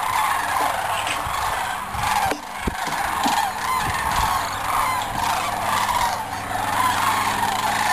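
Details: Sandhill cranes by the thousands fly in from cornfields at sunset to spend the night on the Platte River, Nebraska, on migration. They give a steady wall of overlapping, trilling bugle calls with brief dips and scattered low thumps.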